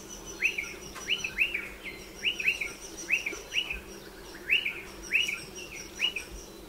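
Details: Striated pardalotes at burrow nests in a dry stone wall give rapid, high, rising chirps in pairs and triplets, steadily repeated, accompanied by a thin, steady high-pitched tone in the background.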